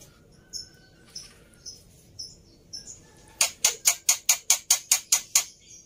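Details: Captive black-winged myna, a fighter bird in an overly agitated state, kept as a tutor for mute mynas: scattered faint high chirps, then a rapid burst of about ten harsh, loud rasping notes at a steady quick pace.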